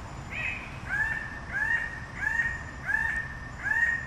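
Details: Red bird-of-paradise calling a steady run of six loud, slightly rising, drawn-out notes spaced about two-thirds of a second apart, with a faint low rumble underneath.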